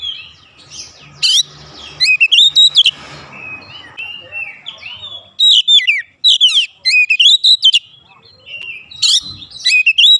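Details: Oriental magpie-robin (kacer), stirred up and emotional, singing isian phrases: loud bursts of piercing whistled notes and sharp upslurs, some hissy background noise early on, then several more ringing phrases.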